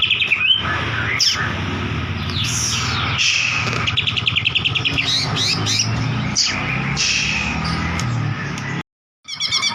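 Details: Lure recording of a White-rumped shama singing to spur another bird into song: varied loud whistled phrases, sweeping slurs and fast rattling chip series in quick succession, with a low droning hum beneath and a brief silent break near the end.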